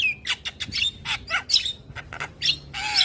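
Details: Morning singing by a Javan myna, with neighbours' mynas answering: a steady string of harsh scratchy squawks and short whistles, ending in a low whistled note under a rasping burst.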